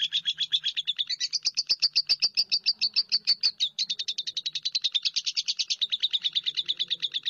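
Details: Lovebird keeping up a quick run of piercing high chirps, around three per second, with a few sharp clicks mixed in early on and a faint low hum in the background.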